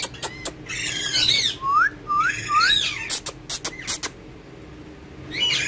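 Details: Pet rose-ringed parakeet playing and talking with a mobile phone in Urdu or Hindi; bright whistled upslurs and squeaky, chattering phrases in short bursts, with sharp clicks between.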